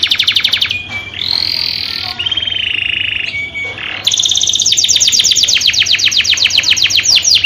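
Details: Canary mating song for breeders: fast pulsed trill, then long buzzy sustained tours broken by short pure whistles, and finally a quick rolling series of repeated high notes.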